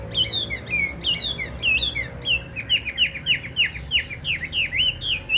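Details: Pure-bred, big-voiced Chinese hwamei with yellow legs and yellow beak sings a loud, rich run of clear whistled phrases, swooping up and down at a quick, uneven pace, with a faint low hum behind.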